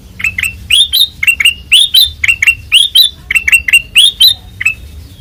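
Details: Ngeplong singing by a white-eyed ruby-throated bulbul: fast series of clear chirps, many sweeping upward into higher notes, in quick groups with tiny pauses and a faint low hum.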